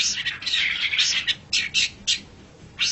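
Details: Long-tailed shrike, a pet songbird, heard on a training recording: harsh buzzy rasping phrases and scratchy high bursts, running together at first and then spaced out.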